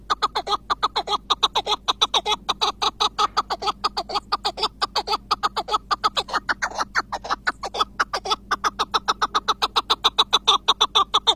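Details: Iraqi chukar partridge, described as a long-singing bird, giving an unbroken series of harsh clucking chuck notes, about four or five per second, keeping a steady rhythm for the whole stretch with a faint low hum beneath.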